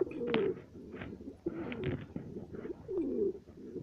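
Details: Satinette pigeons, a fancy breed kept and bred at home as a pair: low cooing phrases around the mid-low range, two swelling coos with rolling notes, at the start and near the end, with faint clicks and room noise.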